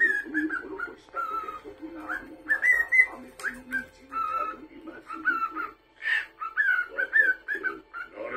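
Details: Indoor pet cockatiel repeatedly whistling short flat and upslurred phrases while television anime dialogue and soundtrack continue underneath.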